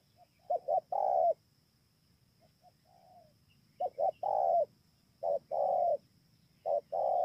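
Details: Low mellow cooing of a spotted dove, Bờ Y, Kon Tum, Vietnam, 28 November 2017: phrases of two clipped notes and a long coo come about every one to one and a half seconds, with a soft fainter phrase early on.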